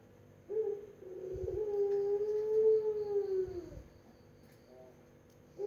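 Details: One long, deep coo from a Barbary dove of the melodious pelung kind, opening with a brief note and swelling into a steady hum of nearly three seconds that fades downward.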